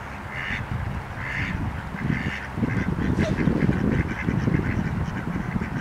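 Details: Mallard in Minnesota giving a loose series of short, nasal quacks, roughly one or two each second, over a heavy low rumble of wind.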